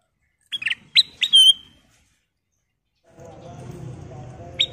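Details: Sooty-headed bulbul, a golden-coloured persistent singer used as a lure to provoke other birds into singing: a quick burst of short, clear whistled notes, the last one drawn out, then quiet, then a low rumbling background and one final note.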